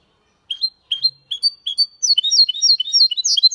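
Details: Goldfinch × canary hybrid singing clean Málaga-style song: spaced, rising whistled notes every half second, then breaking into a dense, rapid twittering trill of high metallic notes.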